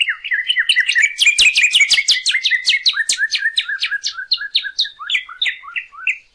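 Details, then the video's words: Northern cardinal song for teaching caged birds to sing: a rapid, dense run of sharp high notes over a lower slurred line, speeding up then slowing into separate down-slurred chirps toward the end. "CARDENAL ROJO: ENSEÑA A TU AVE A CANTAR CON ESTE AUDIO"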